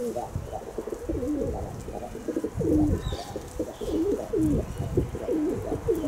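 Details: Several kept pigeons giving steady low cooing, each phrase a short wavering rise and fall, repeated almost without pause for six seconds, with a louder swell near the middle.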